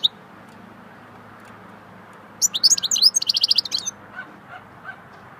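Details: Swittey-style goldfinch song: after a quiet start, a fast liquid twittering phrase of high notes runs into a dense buzzy trill, followed by a few soft lower chirps.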